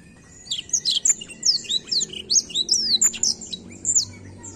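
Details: Black-throated canary in continuous rolling song to encourage young birds to sing: evenly paced high, sweeping chirps about three per second, after a quiet opening.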